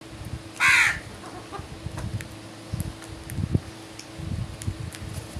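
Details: A crow in the morning gives one loud, harsh caw near the start, followed by quiet low rumbling background noise and faint ticks.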